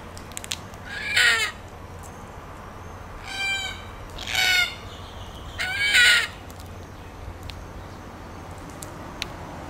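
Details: Series of four harsh, rolling calls from a red-tailed black cockatoo, spaced roughly one to two seconds apart, with faint ticking sounds in a quiet background.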